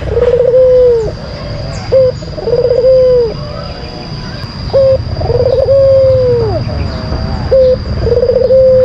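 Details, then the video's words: Lure song of a white collared dove, a bird often kept and shown in song competitions: brief level opening notes alternate with longer rolling coos that trill, then fall away. The phrases repeat steadily against a constant high-pitched hum. "Pancingan Puter Putih Terampuh , Full Gacor"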